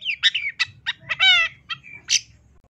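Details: Long-tailed shrike, master recording for training songbirds: a short, harsh mix of scratchy notes, a drawn-out buzzy stacked call, and a final bright squeak, over a faint low rumble.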